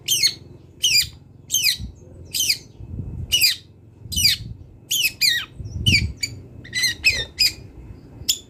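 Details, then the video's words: Wild long-tailed shrike song for training songbirds: sharp descending squawky notes repeated roughly every half second to second, harsh and clipped, with faint low hum beneath. "CENDET GACOR BONGKAR ISIAN | MASATERAN CENDET BURUNG LIAR"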